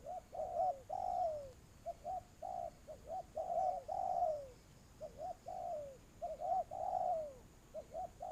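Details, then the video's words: Spotted dove calling as a lure for dove trapping: low mellow coos in rhythmic phrases, short notes followed by longer drawn-out coos that slide downward, repeated throughout with little background noise. "tiếng chim cu gáy"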